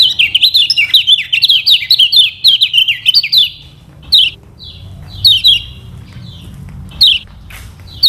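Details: Lombok lemon-bellied white-eye song used to coax other birds into singing: a rapid high warbling run of twisting notes for about three seconds, then scattered single sharp chirps with pauses between.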